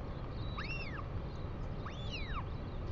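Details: Female northern royal albatross visiting her nest on 2 April 2020 to feed her chick: two clear arched whistles, each rising then falling over about half a second, a second apart, over steady low wind rumble.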